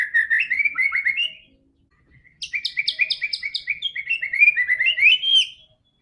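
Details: White-rumped shama song meant to stimulate a quiet bird: a warbled phrase, a pause, then a long fast sequence of paired chipping notes rolling into rising whistled flourishes.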